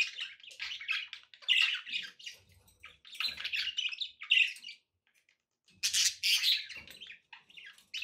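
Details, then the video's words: Pet budgerigars warbling in rapid chattering bursts of scratchy chirps, with two pauses and a brief silence near the five-second mark before a loud burst of chatter resumes. "budgie sounds with background noise for relaxation"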